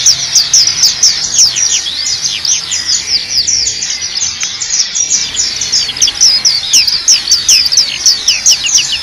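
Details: ['Black-capped white-eye singing energetically and nonstop for nine seconds, a torrent of high, fast, downward-sweeping twittered notes over a persistent background hiss.']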